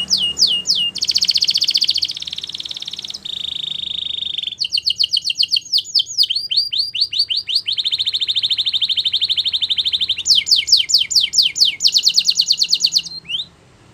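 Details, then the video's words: Belgian canary song for training young canaries: varied phrases of fast high trills, buzzy rolls and descending chirp series, switching every second or two, ending with one rising whistle. "Canary Singing Training !! Belgian Canary"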